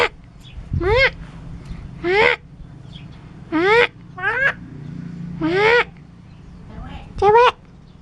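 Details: Clever starling from Curup imitating varied sounds, including chicken, cat and human words; six loud nasal, harmonic calls, each rising then falling, spaced roughly one to one and a half seconds apart over a quiet low hum.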